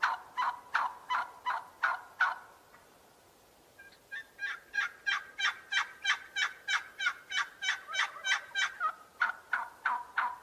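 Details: Domestic turkey giving rapid gobbling bursts, a run of about seven sharp rattling notes, a short pause, then a longer faster series of about twenty pulses repeated roughly three per second.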